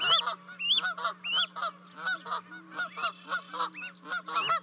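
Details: Canada geese calling at Charlo, Montana, on 12 May 2020 while two goslings leap from a 30-foot nest to reach their parents: irregular bursts of harsh honks mixed with high arched notes, with a steady electrical hum.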